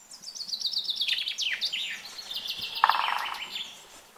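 A common chaffinch sings a bright, rattling phrase that runs down the scale and ends in a brief flourish, with another bird chipping in the background.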